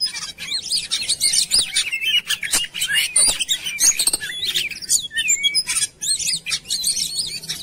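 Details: Energetic Oriental magpie-robin lure song for prompting birds to sing: a rapid, crowded jumble of whistles, chirps and trills running almost unbroken.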